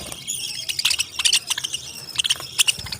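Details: Parrots give squeaky chirps and short squawks, spaced irregularly over a steady faint hiss.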